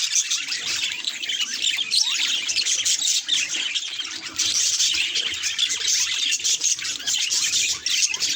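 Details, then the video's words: Budgerigar reacting to its mirror image keeps up a steady, high, scratchy warble mixed with harsher squawk-like notes for several seconds. "Budgie Mirror Reactions Hilarious Sound Effects!"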